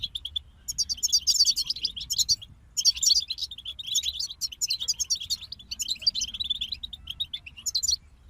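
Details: Goldfinches, European, singing together in an almost continuous stream of high jingling twitters and quick buzzy trills, broken by short pauses, over a soft low-frequency hum.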